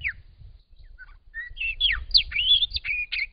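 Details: A Grey shrike-thrush in Australia sings its spring song, a rich, varied phrase of clear whistled notes sliding up and down and quickening toward the end, with a low rumble of background noise.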